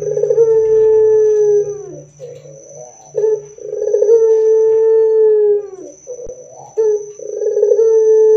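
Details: Barbary dove giving its loud song to prompt other doves to call back. Three long, gently falling hoots come roughly every three seconds, each with a rolling, guttural start, and short throaty notes fill the gaps.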